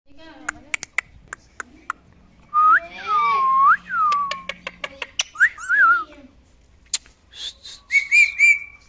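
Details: A talkative pet male rose-ringed parakeet chatters in clear whistled arcs and rising-falling notes, mixed with sharp clicks and short, speech-like bursts.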